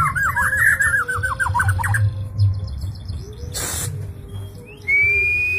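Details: White-rumped shama (murai batu) in vigorous 'gacor' song: a rapid rolling trill of chirped notes for about two seconds, then quieter, over a steady low hum and a brief burst of broadband noise.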